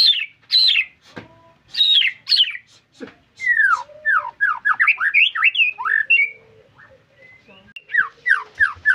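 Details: White-rumped shama in energetic song: loud downslurred whistles, then a rapid string of varied rising and falling whistled notes over a low sustained tone, ending in more slurred calls.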